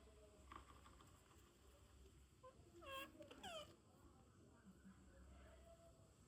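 A parrot gives two short, rich, wailing calls half a second apart, the second sliding downward, over a low background rumble.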